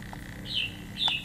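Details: Japanese white-eye in 'họa kép' song with 'líu thung' phrasing on an 11 °C cold day: two short, bright whistled notes about half a second apart, each dipping slightly, over quiet low hum.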